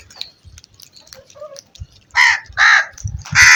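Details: Crow cawing: faint bird chirps and low thumps at first, then three loud, harsh, nasal caws in quick succession near the end.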